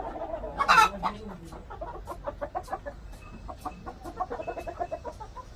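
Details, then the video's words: Korean native chicken flock: a drawn-out rising and falling call opens, followed by a steady run of short repeated clucks that fade and return, with a faint thin tone in the background. "닭 울음소리☆☆☆ 재래 토종닭 korean native chicken 자연의 소리!!! 수탉 울음소리 꼬끼요~~~ 암탉 울음소리 꼬꼬꼬댁!!! 꼬꼬!!!"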